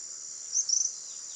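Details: Tropical kingbird (Tyrannus melancholicus) in Itatiba, São Paulo, Brazil, 31 December 2016 at 10:58, giving its "si-ri-ri" call: two quick, very high twittering notes, the second a short stuttered run, over a steady high insect drone.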